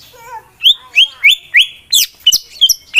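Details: White-rumped shama male, a competition bird, calling to incite rivals: a soft low warble then a string of sharp high upswept whistles repeated about three times a second.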